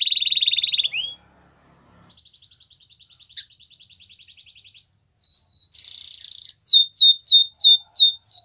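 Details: Spanish Timbrado canary sings for training, starting with a loud dense trill, dropping to a soft faint ticking roll, then a loud burst and a row of repeated sweeping notes.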